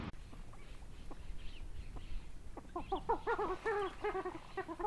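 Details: Coot recorded at Chiflón on 3 January 2025 at 8:11 in the morning: faint scattered notes build into a fast nasal, harmonic chatter of rapid repeated syllables.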